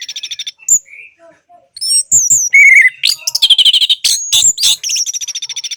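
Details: Orange-headed thrush singing, a recording meant to spur silent birds into song. Rapid high twittering gives way to scattered whistles, then a loud sequence of sweeping whistles, buzzy trills and sharp repeated chips.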